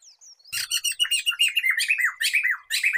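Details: Song of the black-throated laughingthrush, used to lure and tutor songbirds: a faint thin whistle, then a rapid, continuous run of harsh chattering and downward-slurred whistles repeated many times without pause.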